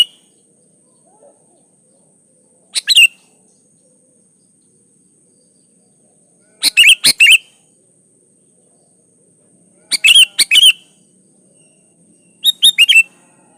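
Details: Sooty-headed bulbul song: four short bursts of bright, bubbly notes spaced about three seconds apart, each a quick run of three or four chirps with a fluty rise and fall, over near silence with a faint steady high hiss.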